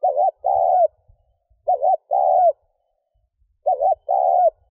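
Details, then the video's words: Spotted dove cooing to get a decoy bird going; three phrases roughly every 1.8 seconds, each a quavering double note followed by a long, even, slightly falling coo. "Mp3 tiếng chim cu gáy thúc gù kích bổi / chim cu gáy kích bổi nhanh nổi"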